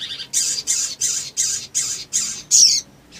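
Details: Sogon male singing fiercely as a lure: a run of seven harsh, buzzy, high-pitched rasping strokes at an even pace of about three per second, ending in a squeakier note, then a pause.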